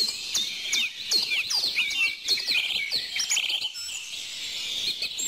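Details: Several birds sing together in a busy, high-pitched chorus of sharp chirps, downward-slurred whistles and fast twittering phrases that tumble over one another without a break.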